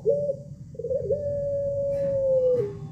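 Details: Pelung chicken crow: a short bright opening, a wavering note, then a long steady held tone lasting about one and a half seconds that drops at its end, over a low constant hum.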